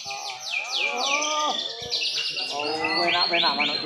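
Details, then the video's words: White-rumped shama performing in a bowing posture and delivering rich filler phrases: a dense, varied song of fast whistled sweeps, rising and falling slurs and bright high trills running without pause. "murai batu pastol Tiki-Taka tampil sujud buang isian mewah"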